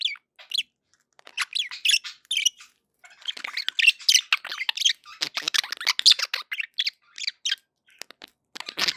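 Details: Pet budgerigars in a happy mood, a few separate chirps after a short quiet spell, then a thick rush of buzzy warbling and clicks.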